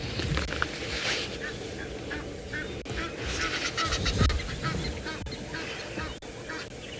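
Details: Egyptian geese on a morning game drive in a South African reserve, standing side by side in a dance-like display and knocking each other with their rumps; harsh, repeated honks come in quick irregular bursts over a guide's talking and steady background hiss.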